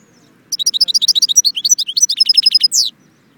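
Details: European goldfinch at Jbel Wahch in Constantine delivering one dense phrase of rapid tinkling notes, shifting into a run of even, repeated clear chips and finishing with a buzzy down-slurred note.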